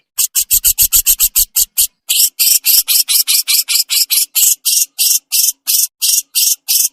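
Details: Javan crested jay in full 'besetan' raspy song: a quick run of about ten short harsh rasps, then a short pause and roughly sixteen broader, hissing rasping bursts evenly spaced, bright and high-pitched throughout.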